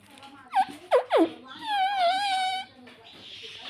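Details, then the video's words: Pet ringneck parrot producing three quick downward-sweeping squeaks followed by a long, level, slightly wavering whistled tone lasting about a second. "Ringneck Parrot Natural Sound || Mitthu Ki Aavaj Bahut Cute Hai"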